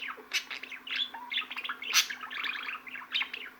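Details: Busy budgerigar warbling: rapid strings of twittering chirps and short whistled slides, dense and continuous, peaking in a loud sharp burst near the middle, over a faint constant hum.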